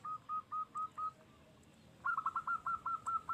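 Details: Local zebra dove, the call played to lure and set other zebra doves singing: five evenly spaced soft coos, a pause, then a faster rippling run of coos over a faint background hiss.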